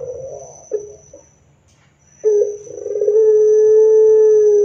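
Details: Loud, frequently singing Barbary dove, its song used as a lure to prompt other doves to answer. After brief soft cooing and a pause, a rough rolling start runs into a long, steady, slightly falling hooting note.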